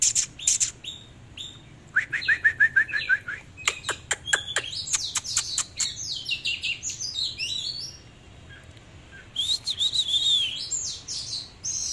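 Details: Displaying Oriental magpie-robin in full song, mixing a run of evenly spaced mid-pitched whistles, a rapid series of dry clicks and tangled squeaky warbles, falling quiet briefly before a final bright twittering burst.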